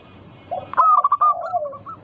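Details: Local zebra dove singing, a recording meant to lure other doves into song. A low slurred note leads into a loud, quick string of bubbling coos that fades into softer trailing notes.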